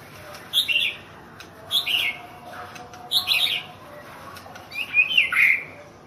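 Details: Thailand national champion White-rumped shama giving four short bright phrases roughly a second apart, each a quick burst of high notes, the last a longer falling warble.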